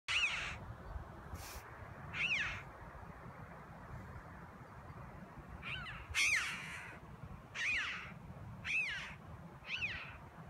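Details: Two red-billed choughs flying and calling to each other give about seven loud, ringing 'chee-ow' calls, each a quick rising-then-falling yelp, at irregular intervals over steady wind noise.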